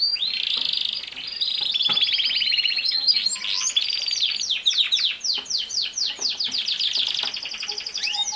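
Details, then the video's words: Long, continuous canary song: rolling high trills change into bursts of rapid sweeping notes, with pitch shifting between phrases and almost no pauses. "Canary Singing | The Best singing Canary ever"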